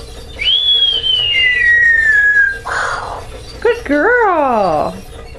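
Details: Female pet Amazon parrot, talkative when covered at bedtime, whistles a long falling note, breathes a noisy rush, then clicks and performs a rich, harmonic, swooping bomb-drop sound; an owner praises her between sounds.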